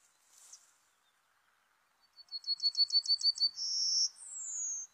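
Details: Lure song of a serin for bird trapping: after a faint, quiet start, a fast run of sharp repeated high notes leads into a steady buzzy tone, then a clear descending whistle.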